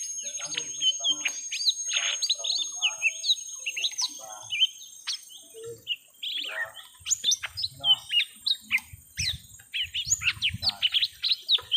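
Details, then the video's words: Lesser green leafbirds, young ones, singing while fighting a rival in a long first-round battle: a busy tumble of sharp whistles, rising slurs and buzzy rattles. Soft low thumps come near the end. "Suara Pertarungan panjang cucak ijo mini muda"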